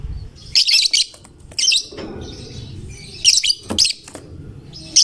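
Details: Singing fighter lovebird whose song is said to stir any lovebird into calling; harsh, very high chattering trills come in clusters of two or three, with quiet gaps of a second or more and low background noise.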